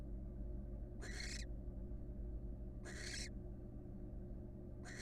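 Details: Wild female barn owl at her nest box, settling for a one-legged rest, gives rough hissing screeches roughly every two seconds, three bursts heard, with a constant low background hum.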